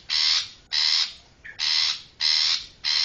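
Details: Long-tailed shrike giving harsh, rasping, buzzy notes, each about a third of a second long, repeated roughly every half second in a steady scolding series; a recording used as a lure for the species.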